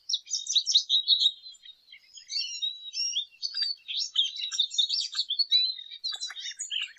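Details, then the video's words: Lesser goldfinch singing steadily, a busy high-pitched stream of chirps, trills and slurred whistles that continues throughout. "Jilguero Aliblanco Canto! Llamado! Sonido! - Lesser Goldfinch Song -Spinus Psaltria"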